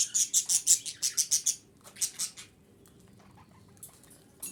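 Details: Female budgerigar voice used to stimulate breeding; a rapid string of about ten bright, scratchy high chirps, roughly three per second, followed by a few more after a short pause, then quiet.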